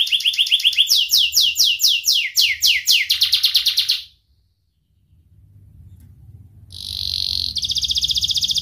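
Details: Young canary singing as a lure to teach young canaries: rolling trill leading into repeated falling swept notes, about three seconds of quiet, then a high buzzy trill resumes.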